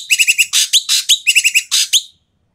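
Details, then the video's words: Loud, rough Asian pied starling calls for prompting silent starlings to sing: a quick string of short whistled notes broken by longer hoarse, grating screeches, ending abruptly in silence. "BURUNG EKEK KELING BERISIK SUARA KERAS DAN KASAR COCOK UNTUK PANCINGAN BURUNG EKEK MALAS BUNYI"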